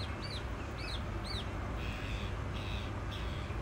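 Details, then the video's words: A female black francolin gives three quick high arched notes, then three flat, slightly lower notes about half a second apart, over a steady low rumble. "Kala Teetar Ki Awaz | Mushqi Teetar Ki Awaz"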